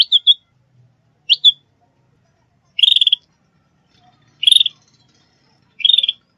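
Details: Sooty-headed bulbul call used as a trapping and training lure: a couple of quick upslurred chips, then three dense buzzy trills spaced roughly one and a half seconds apart, background otherwise silent.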